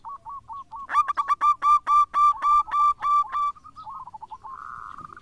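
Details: Local zebra dove singing strongly as a lure: a few soft lead-in coos, then a loud even series of about ten sharp, ringing coo notes, ending in a soft purring trill.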